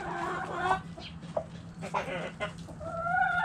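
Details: Backyard chickens, hens and roosters, in a chicken coop: a mix of short clucks and drawn-out harmonic calls from several birds, ending in a longer tonal squawk.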